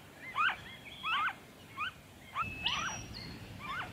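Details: In Victoria, Australia, February 2023, a noisy friarbird gives several rough, nasal, bent notes, a few loud and some softer, while a thin, level whistle from another bird briefly joins partway through.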